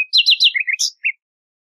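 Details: Short nightingale phrase on a song tape: three fast repeated notes, lower chirps, a high burst, and a final lone note.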